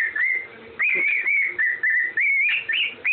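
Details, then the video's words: Parrot kept as a pet whistles the Andy Griffin tune, giving smooth, clear notes that hold steady, then glide upward in quick swoops, several short phrases in a row with small gaps between them and little background noise. "whistling Andy Griffin tune"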